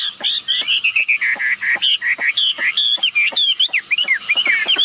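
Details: Male and female red-billed blue magpies calling loudly, used as a lure to draw answering calls: dense strings of bent, slurred whistles mixed with sharp ticking clicks.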